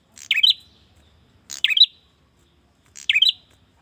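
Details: Male prinia calling out to a female: three sharp, buzzy-then-twittering chirp bursts spaced about one and a half seconds apart, with near silence between them.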